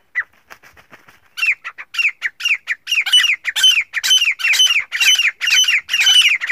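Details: Teetar, a male black francolin calling to a female: faint soft notes at first, then loud rasping squawks repeated about twice a second, growing stronger and harsher toward the end.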